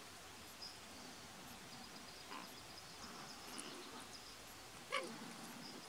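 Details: At Point Reyes National Seashore on 26 June 2016, a common raven gives a few soft, low calls, one short hollow quork standing out near the end, over steady background hiss.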